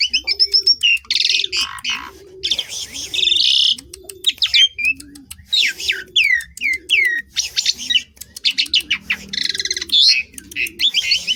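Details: Lively song from an Asian pied starling, with stuttering high notes, hissing bursts and a series of falling whistled slurs, over steady low cooing repeated about twice a second.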